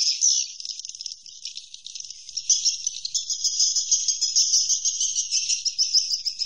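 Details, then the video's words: Swiftlets giving roosting calls as a continuous high, buzzy chatter that pulses rapidly and grows steadier and denser after the first few seconds. "Suara Inap Walet"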